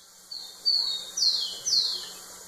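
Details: Rufous-collared sparrow singing to a female against a noisy, hissing background with a steady low hum: two thin level whistles, then two strong descending slurs.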